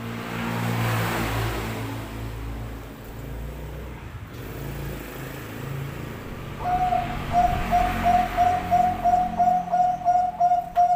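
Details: Zebra dove of the Bangkok type (perkutut bangkok); rumbling traffic noise fills the first half, then a fast, regular series of about a dozen clear cooing notes at a steady pitch.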